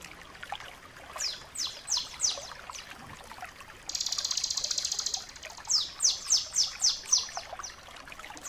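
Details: Crystal-style song of the bar-winged prinia, meant as a training master for caged birds: a short run of descending high whistles, a quiet pause, one steady buzzy trill lasting over a second, then five or six more falling notes.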